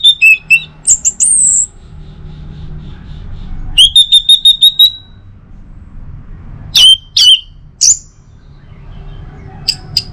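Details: Orange-headed thrush song used at home in the morning to make kept birds sing: piping repeated notes, high slurred whistles, a rapid series of even notes, then scattered sharp chips and whistles over low hum.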